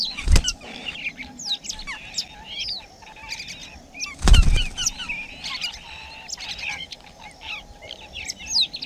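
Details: Wild laughingthrushes at their nest, parents tending chicks during rain: a busy run of short, sharp chirps and quick rising and falling twitters, overlapping and irregular, with two loud dull knocks and a steady faint low hum beneath.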